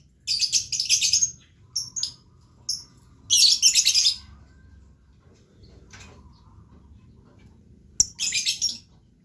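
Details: Pet blue lovebird in an excited chattering song, rapid bursts of shrill, buzzy twitters lasting up to a second, separated by brief silences, in a quiet indoor setting.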